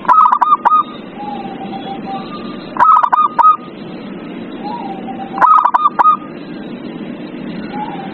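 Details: Zebra dove song meant to prompt a silent dove to sing: three brief bursts of quick hooked coo notes, spaced about two and a half seconds apart, with faint lower drawn-out coos in the gaps.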